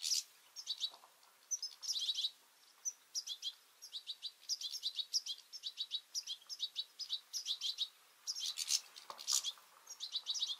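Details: Feisty European goldfinches with juveniles competing at a two-port seed feeder; continuous bright tinkling twitter, chirps clustered in fast bursts of five to eight notes, repeated steadily with short gaps.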